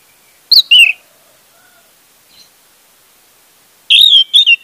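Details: Orange-headed thrush song serving as a lure for a mute bird: a quick pair of descending whistled notes, a long pause with a faint distant note, then a loud rich warbled phrase of three joined whistles.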